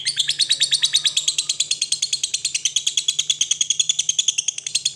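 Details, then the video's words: Lovebird in a long ngekek, a fast, unbroken rattle of shrill, high chattering notes, about three per second, held steadily for the whole stretch over a faint low hum. "Suara Burung Lovebird Ngekek panjang Mantab"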